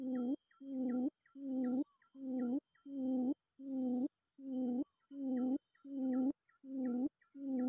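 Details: Quail used as a lure call, calling to seek or summon a rival: low, hollow hooting notes about half a second long, repeated steadily about once a second, with faint thin high tones behind.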